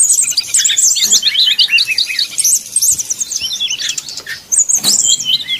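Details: Brown-chested jungle flycatcher fluting song intended to provoke rival birds: very high, rapid ticking and whistled twitters in tight runs, a brief lull, then another burst.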